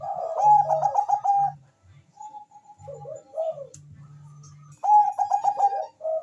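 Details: Bangkok zebra dove cooing rapidly while a rival answers, a lure recording; quick stuttered coo phrases ending in a sliding note, a brief pause, then another bubbling burst over a steady low hum.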